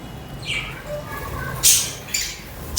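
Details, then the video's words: Pet budgies chirping and chattering: faint high whistled notes early on, then loud sharp bright chirps near the end. "Budgie Beauty at Its Best | Mesmerizing Colors & Chirps!"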